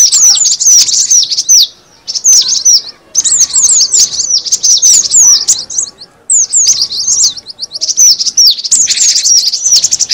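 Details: Cinereous tit lure sound: bursts of excited, high, slurred chirps separated by several short silences, each burst a tight cluster of overlapping notes.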